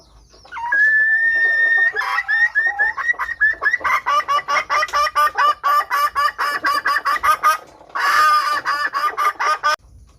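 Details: Female red junglefowl calling, used as a lure to draw wild males. A long flat whistled note opens, then rapid clucking notes repeat steadily, briefly louder and harsher near the end.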